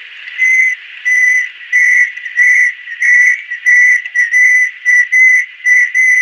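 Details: Banded kingfisher, an adult female, giving a long run of ringing whistles at an even pitch, roughly ten notes over six seconds, delivered at a regular rhythm of about one and a half per second.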